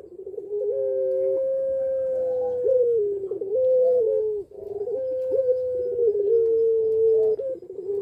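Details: Puter pelung dove, a caged bird in breeding condition and cooing vigorously: long, level, drawn-out coos that step down slightly in pitch near their ends, with several phrases running almost continuously for eight seconds in a quiet room.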